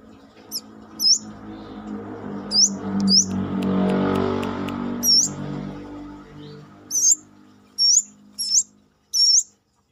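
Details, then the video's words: Brown-throated sunbird singing outside the cage, Indonesia: scattered sharp rising whistles, some doubled, with a loud low rumbling noise swelling and fading through the middle before a clearer quick series of notes at the end. "KORLAP (Kolibri kelapa)Manggar gacor luar sangkar"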